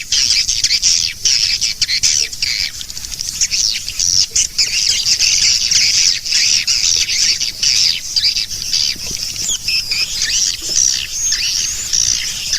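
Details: Swiftlet call used to attract swiftlets, a nineteen-second calling track: dense, continuous high-pitched twittering and chirping from many overlapping voices, with brief rasping notes and a steady hiss beneath.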